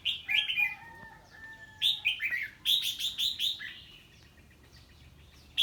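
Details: Red-whiskered bulbul singing in reaction to an unfamiliar bird, giving bursts of short, loud, warbled whistled phrases that drop in pitch, with a faint steady tone running beneath the first half.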